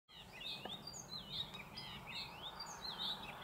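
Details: Icterine warbler singing in a thicket in the Alblasserwaard, Netherlands: a fast, continuous, varied warble of high, twisting, looping whistled phrases and chattering notes, with steady background noise.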